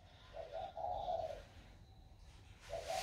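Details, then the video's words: Spotted dove with a newly developed warm voice, recorded 16 February 2020, gives low, soft coos: a short double note, then a longer drawn-out coo, and another short coo after a pause, over a steady background hiss. "Cu gáy mới nổi giọng ẤM"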